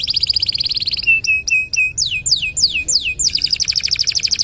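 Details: Canary singing long and nonstop, kept as a tutor for training other birds: a fast buzzy trill, then a run of clear down-slurred whistled notes, sweeping swoops, and another rapid rattling trill.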